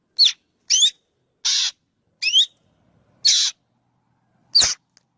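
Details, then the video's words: Black drongo: alternating harsh rasping buzzes and crisp, looping whistled notes, six bursts in five seconds, ending with a sharp click-like snap; background otherwise quiet. "Suab noog quaj suab ntseg ntshauv .tiếng chim chèo bẻo kêu chuẩn"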